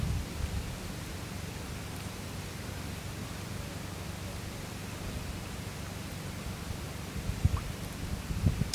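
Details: Constant low hiss and rumble with a couple of brief knocks near the end.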